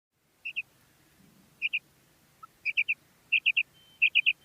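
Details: Female common quail calling: high, clipped notes given in quick pairs and triplets, the groups spaced about a second apart and growing to steady three-note bursts, over a faint low rumble.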